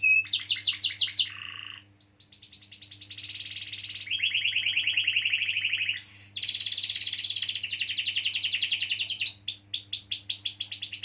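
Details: Canary singing a long rolling song meant to stimulate young or silent canaries: rapid repeated notes, a brief dip, then extended buzzy trills alternating high and lower pitch, closing in quick upward sweeps; low steady hum behind.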